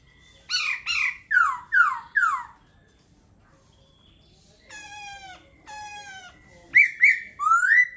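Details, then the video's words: A laughingthrush delivers a quick series of five falling whistled notes, then two drawn-out nasal, harmonic-rich calls, and closes with rising slurred whistles, in a quiet indoor setting. "Khướu hót hay."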